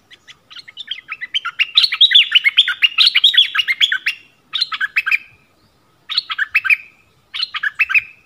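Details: Yellow-vented bulbul decoy recording with a long run of lively, chattering warbled phrases, then three shorter bubbly bursts separated by brief pauses, against a clean, quiet background.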